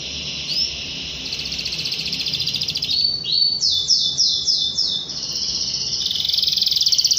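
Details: Canary song meant to challenge a rival and stimulate young canaries: buzzy high trills, then a run of sharp downward-sweeping notes, then a long fast rattling roll, steady and loud throughout.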